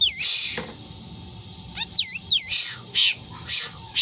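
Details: Black drongo said to mimic a cat's meow and give strange screams: twangy, down-then-up curved notes like short meows, mixed with harsh broadband rasping bursts repeated about every half second.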